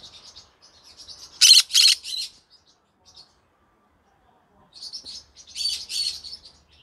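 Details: In the evening a green-cheeked conure twitters softly, breaks into two loud harsh squawks and a shorter rasp, falls quiet, then resumes with buzzy chirping.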